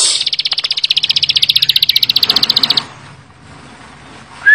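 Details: Bar-winged prinia in rapid 'full bren' song: a fast, regular rattle of high chips for nearly three seconds, then quiet apart from a faint low hum.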